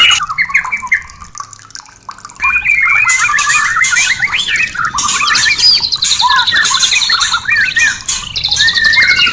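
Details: White-rumped shama song played to stimulate breeding desire and mating, for birds in a cage: dense, varied warbling of rising and falling whistles and harsher squawky notes, quieter at first, then loud and continuous.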